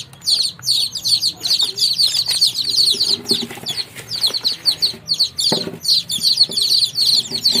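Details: Baby chickens on a farm chirping together, many high peeping notes in quick overlapping series, roughly two or three per second, with faint rustling and scratching beneath.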